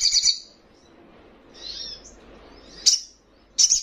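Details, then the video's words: A fledgling sunbird gives rapid high twittering notes at first, then a softer buzzy phrase, a single sharp chirp, and a final burst of fast, shrill twitters, all very high-pitched over a quiet background. "Sogon trotolan paling gacor"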